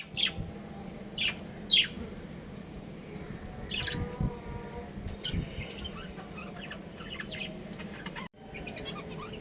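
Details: A breeding pair of pet budgerigars chirping: three sharp, loud chirps in the first two seconds, then softer scattered chatter and brief warbled notes over a steady low hum, with a short dropout near the end.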